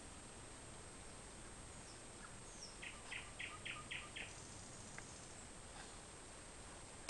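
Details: Night-time song of a nightingale in June near Larvik, Norway, at Lamøya, Kaupang: a quick, regular run of five or six sharp repeated notes with scattered thin whistled phrases before and after, over constant low hiss.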